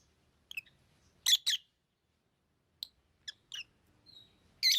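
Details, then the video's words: Lovebird chirping: scattered thin, squeaky chirps mixed with a louder harsh double note, a brief soft whistle, and a loud scratchy chirp at the end, with faint low background noise. "Love birds Sounds | lovebirds chirping sounds"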